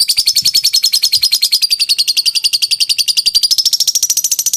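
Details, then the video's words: Lovebird in long ngekek chatter, used for training: a steady, evenly paced run of loud high buzzy pulses, slightly rising in pitch toward the end, with no other sounds. "Suara jernih burung lovebird ngekek panjang"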